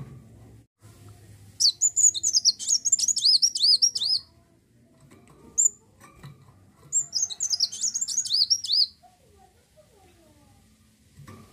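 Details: Two extended bursts of quick, shrill, rolling twitters with a short chip between, then quiet; lively 'gacor' song of an olive-backed sunbird used as a lure to set other birds singing.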